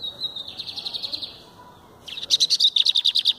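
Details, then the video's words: Held in the hand, a lined seedeater gives a buzzy pulsing phrase, a brief pause, then a loud rapid sequence of sharp high notes repeated several times a second. "Bigodeiro Verdin cantando na mão"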